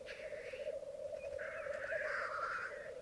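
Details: At a May 2022 morning lek on a bog in Mykland, with twelve cocks and two hens, black grouse keep up continuous low bubbling rookooing while harsh drawn-out hissing sneezes overlap.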